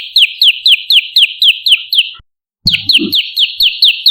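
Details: Lure song of the olive-backed tailorbird, called prenjak lumut, meant to draw in and train birds: steady, rapid chirps sliding downward, roughly four each second, interrupted by a short gap and a soft low knock, then continuing.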